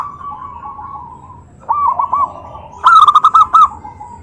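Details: Zebra dove voicing a call that stirs other doves to reply; a faint steady coo gives way to a short soft rolling phrase, then a loud, rapid string of bubbling notes.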